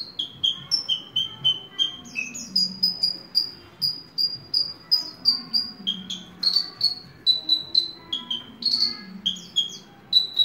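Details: A ringed, hobby-kept Horsfield's bush lark sings sharp, clear whistled notes about three per second, each note steady or gently falling, shifting between higher and lower pitches, over a faint low background hum.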